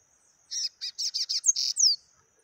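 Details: Yellow-bellied seedeater giving its taquara rachada song: a fast series of six buzzy, rattling high notes followed by a sharp upslur and a long clear descending whistle.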